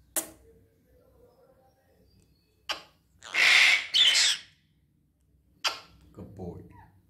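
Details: Pet red-breasted parakeet producing a few sharp clicks, then a loud, grating double squawk, followed by another sharp note and softer rough sounds.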